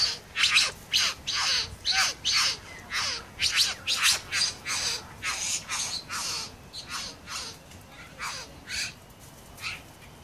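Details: A male Satin bowerbird in the Southern Highlands, serenading a female with a dance and bird imitations: harsh, scratchy, buzzing bursts about twice a second, strong at first and then softening toward the end.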